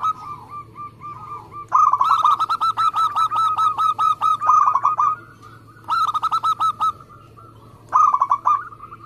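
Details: Zebra dove of local stock singing fast and dense, a song used to coax other doves into calling: long runs of rapid, rolling coo notes in three bursts, linked by a soft steady hum of cooing.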